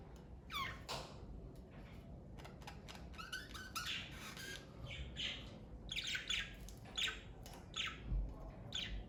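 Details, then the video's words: Pet parakeet family indoors giving scattered chirps and harsh squawks, irregular bursts with warbled notes and pauses, faint room noise beneath. "Birds Chirping Sound Effect!"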